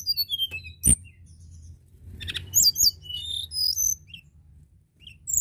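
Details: Crested lark singing continuously, meant to stir other larks into song: a quick jumble of high whistled notes, slurred chirps and trills after a sharp click, with a low background hum.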